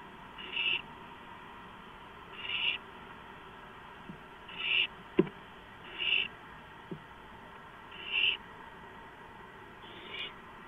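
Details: Barn owl at the nest as prey, a gopher, arrives late at night on 2 April 2015: six rough, breathy screech bursts at irregular intervals of about one to two seconds, with a sharp click and light scuffling.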